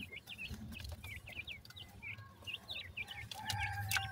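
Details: Multan, Pakistan, grey francolin chicks held for sale: short, high, hooked peeps given in quick uneven runs, fewer voices than a full chorus, over a low background rumble, with a steady tonal whine near the end.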